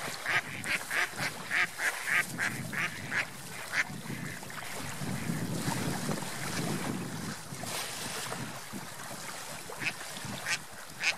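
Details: Ducks on a lake, swimming and flying: a quick series of nasal quacks opens, then a broad rushing, splashing noise takes over midway before a few scattered quacks return.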